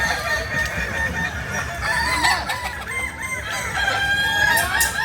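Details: Native Solok chickens of the Kukuak Balenggek breed from West Sumatra crowing. Busy, broken crow notes tumble over one another in quick, irregular repeats, with other hens clucking low in the mix.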